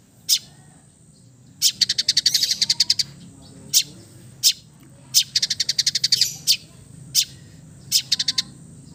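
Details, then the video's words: Relaxed singing of an East Javan long-tailed shrike: single sharp high notes alternating with quick rattling trills of a dozen or so rapid notes, repeated several times against a faint low background hum. "TERAPI CENDET BISU KURANG FIGHTER DENGAN KICAU SANTAI CENDET JATIM GACOR FULL ISIAN"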